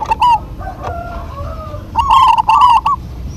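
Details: A local Zebra dove duet: a short opening coo, softer drawn-out tones, then a loud rolling burst of rapid, wavering coos with crackly, overloaded peaks. Low background noise runs throughout.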